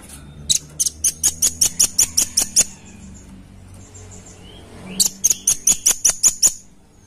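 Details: Red-billed nuthatch luring call: two bursts of sharp, high, metallic chip notes, each about ten notes fired quickly and evenly, separated by a quiet gap of about two seconds, with a low background hum.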